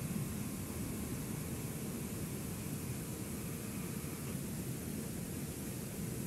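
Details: Steady broadband hiss and low droning engine noise, like an aircraft or vehicle, throughout, with no animal calls.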